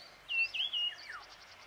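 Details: Marshall's iora in Shekhawati, Rajasthan, in April 2020 gives a brief whistled phrase of three clear, level notes around a high pitch, followed by a faint descending trill, against quiet background hiss.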